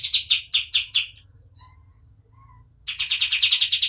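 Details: White-eye known locally as kapas tembak, singing energetically for use as a master recording: a burst of rapid chirped notes, a quiet gap with a few faint thin sounds, then another fast, bright run of repeated chirps.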